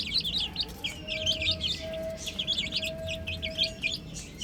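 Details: Baby chickens playing on a roof, chirping in bursts of busy high peeps with short gaps between them, while a faint steady mid-pitched tone sounds in the background.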